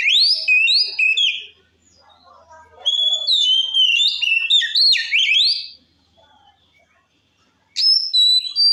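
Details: White-rumped shama in full voice, song used to provoke other shamas: loud fluty whistles and fast slurred warbles, soft twittering in between, a long silent gap, then sharp rising notes resume.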